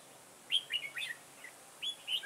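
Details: Red-whiskered bulbul acting as a trapping decoy, 9 October 2017: two short, clear whistled phrases of three or four bouncy notes each, separated by a second of near silence.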